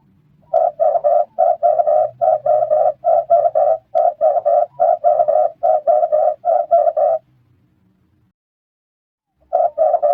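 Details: Red turtle dove delivering a long series of rapid, rough, evenly pitched notes in tight clusters for about seven seconds, then a pause of a few seconds before calling resumes.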